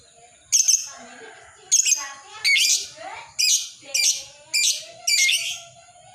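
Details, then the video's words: Lovebird ngekek call, meant as a master and lure for other lovebirds: seven harsh, shrill squawks, each about half a second long, repeated roughly every second over a faint background. "Awal dan Akhir Suara Lovebird Ini Tetap Ngekek Pas Buat Masteran Dan Pancingan Lovebird Apapun"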